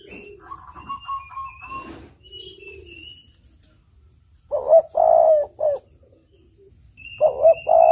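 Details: Spotted dove lure song for catching birds. Other high chirps and a steady whistled tone fill the first half, then two rolling three-part coos of short note, long coo and short note follow.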